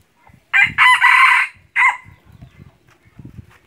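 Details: Red junglefowl decoy bird kept for hunting crows loudly in two harsh, broadband bursts, a long one followed by a short tail, while people talk quietly in the background.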